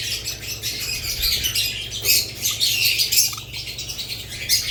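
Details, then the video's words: Budgerigars together with lovebirds give lively, overlapping high chirps and warbles, forming a busy, nearly unbroken chorus of several birds. "Budgerigars lovebirds Chirping Sounds"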